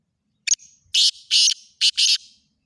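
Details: Black francolin, locally called kala teeter, gives a harsh, grating call of five rapid high notes: a short clipped note, then two longer rasping notes, a brief pause, and two more, against otherwise quiet surroundings.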